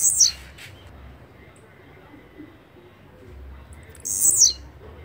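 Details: Two short, high, buzzy, falling phrases from a blue-black grassquit, one at the start and one near the end, separated by a quiet stretch of low hum.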